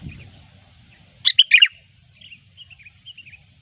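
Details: Sooty-headed bulbul in gecor style for luring: a loud, bubbling phrase of stepping, falling notes, then softer short slurred chirps trailing off.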